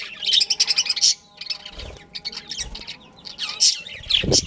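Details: Breeding pair of budgerigars: a quick run of about eight rapid high chirps, then scattered squeaks and warbling, with a few dull low thumps.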